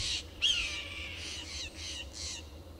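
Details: Steller's jay gives about five harsh, raspy shacks, roughly two per second, over a faint low hum, while jays mob a red-tailed hawk on a tall Monterey pine to chase it from their territory, Del Monte Forest, California.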